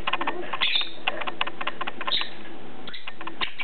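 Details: A pair of lovebirds carrying PBFD at play give two short, high squeaky chirps, while rapid irregular clicks and taps fill the whole stretch.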